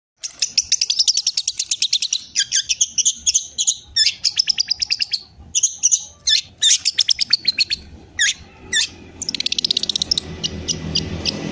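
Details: Young long-tailed shrike practising song learned from master recordings: long runs of fast, high, buzzy trills, sharp chips and slurred whistles in quick alternation, almost without pause, with faint low background noise near the end.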